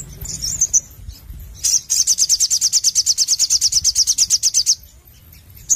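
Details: Sogon, a Crimson Sunbird, singing busily in a 'nembak nglaper' style: a few high twitters, then a long, fast, even trill of sharp, very high ticking notes, about three per second, lasting around three seconds.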